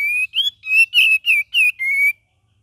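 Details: Cream-vented bulbul in varied, lively 'gacor' and 'ngeriwik' singing: a quick run of about seven clear whistled notes over two seconds, some level and some slightly rising or wavering, ending on a longer steady whistle, with no other sounds.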